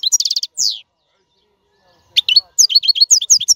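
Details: European goldfinch in clean, error-free song for training caged young birds: a quick burst of repeated chirps and a downslurred note, a silent gap, then rapid high twittering phrases.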